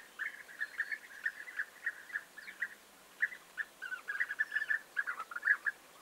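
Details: European bee-eaters recorded on 29 May 2021 keep up a steady stream of short, trilling, mid-pitched calls. There is a brief pause near the middle, then a louder cluster of overlapping notes over quiet background noise.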